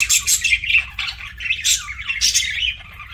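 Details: Budgie, a pet parakeet, chirping during a meal: continuous bright, buzzy warbled chatter with rapid squeaky notes and short pauses, over a faint low hum.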